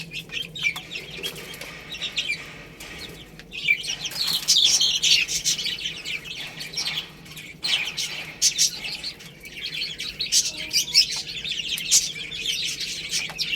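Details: A group of baby chickens playing and eating rice chirps steadily; the peeping thickens and grows louder midway, mixed with frequent clicking pecks.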